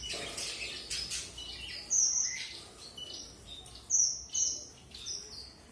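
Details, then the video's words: Red avadavat, or strawberry finch: thin, high whistled notes, some short and some drawn out, come in scattered bursts with brief pauses between them. "Red Avadavat Premium or Strawberry Finch"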